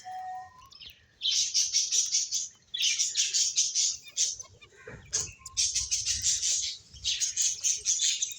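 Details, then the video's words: Several finches at play chirp in quick, high bursts. Each run of tight, rapid notes lasts about a second and is separated by short pauses. One low thump sounds midway. "Cute Birds Chirping Sounds | Beautiful Finches Playing"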